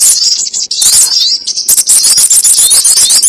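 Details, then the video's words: High, fast chattering and whistled upslurs from a sogon ontong trapping lure, starting in short pieces and turning into a dense unbroken stream of shrill notes in the second half. "SUARA PIKAT BURUNG SOGON ONTONG"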